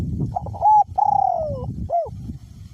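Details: Decoy spotted dove, caged, with a small-to-medium voice, sings through strong wind. Its phrase is a pair of short notes, a long gently falling coo, and a final curved note. Soft wind rumble sits underneath.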